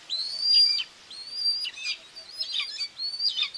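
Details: Common buzzard mother feeding two chicks at a nest in Tiszalök, Hungary, on June 2, 2024, captured by a nest camera: thin, high whistled calls, each held briefly then dropping, about four in quick succession with short gaps.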